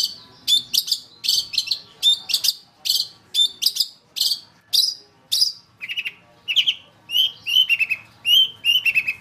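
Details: A long-tailed shrike plays as a masteran lure for training cage birds. Harsh, scratchy notes repeat about twice a second, then give way to a faster string of short, descending whistled phrases.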